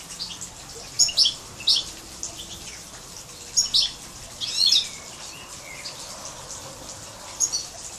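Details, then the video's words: Hybrid of a major goldfinch and a canary, 2012 recording: scattered high, twittering chirps in small clusters with quiet gaps between them. "chant 2 major x canari"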